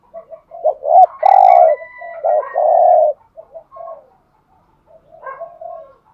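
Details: Decoy spotted dove cooing to draw in wild doves: quick double notes lead into two sustained loud throaty coos, then softer murmuring coos, with a thin whistle-like overtone above.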